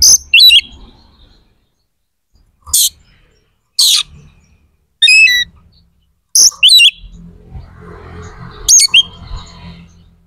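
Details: White-rumped shama song, intended to trigger aggression and breeding drive in other shamas, heard as isolated loud high bursts and short warbled phrases spaced by silences, with faint low rumble toward the end.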